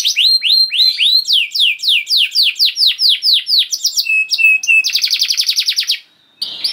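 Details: Canary singing 'gacor' with long duration: a run of evenly spaced downward-slurred whistles, brief steady tones, then a fast buzzing roll before a short pause and a final note.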